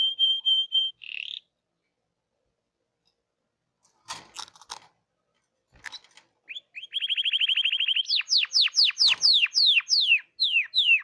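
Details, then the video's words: Hipi-type canary singing: a steady whistled note and a short buzzy burst, a pause with faint clicks, then a long fast rolling trill followed by a run of rapid, repeated, descending whistled sweeps. "The wonderful canary tweet تغريد الكناري من نوع هيبي"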